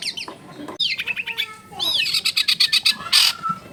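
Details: Loud, varied song of a long-tailed shrike: sweeping squeaky notes, a rising-falling slur, then rapid harsh chattering with metallic clicks and a short whistled tone near the end.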